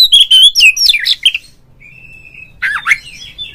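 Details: Oriental magpie-robin song played to provoke a rival kept bird: a loud burst of fast, varied whistles and trills, a thin sustained whistle, then another brief twisting warble.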